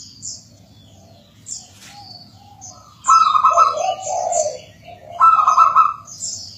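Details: Zebra dove song, a local bird, played as a lure to prompt other local doves to sing: two rich, rolling cooing phrases in the second half, each about a second long, with small high chirps of other birds in the background.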